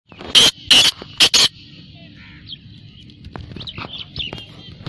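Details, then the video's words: Black francolin call: a loud, harsh, grating phrase of three to four rasping notes, followed by quieter chirps of other birds. "Kala Teetar Awaz / Blackfrancolin Voice کالا تیتر کی بولائی"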